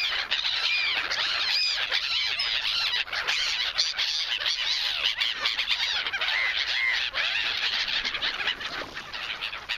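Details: Gulls fighting over a piece of bread on a Polish Baltic beach: a dense, unbroken chorus of overlapping shrill squawks and short rising-falling cries from many birds, with a steady outdoor hiss beneath.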